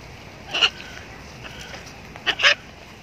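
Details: Blue-and-yellow macaw calling: a harsh, raspy squawk near the half-second mark, a fainter note around one and a half seconds, then a louder double squawk near two and a half seconds, over low background hiss.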